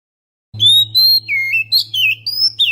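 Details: Oriental magpie-robin lure song to draw in birds: long, pure whistled notes alternating with lower sliding whistles and quick flourishes, over a steady low electrical hum.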